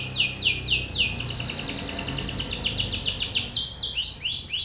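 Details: Belgian canary male singing strongly toward a rival male: a fast, sustained trill of sharp downward-slurred high notes, then slower separate sweeps at the end, with faint low background hum.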